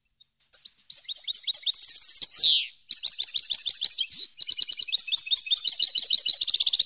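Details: Extended European goldfinch song used to train captive birds: continuous fast twittering and trills, broken by two loud buzzy descending slurs, then a long rapid rattle of high notes.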